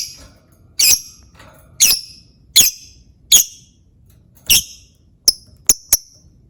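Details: Lovebird calls used as a lure to prompt other lovebirds to sing: sharp, shrill single squeaks spaced about a second apart, then three quick thin chips near the end, with faint background noise.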